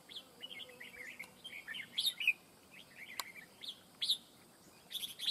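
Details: Red-whiskered bulbul calling at a fight trap set for wild bulbuls: lively warbled whistle phrases, rising and falling, repeated roughly every second, with a few sharp ticks and a quiet background.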